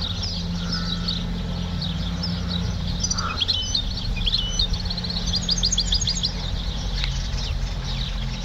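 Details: A European goldfinch trained to a clean song, with a small flaw at the start of the song. It gives bursts of bright, rapid twittering notes and short repeated trills, with one brief lower whistle, over a constant low hum.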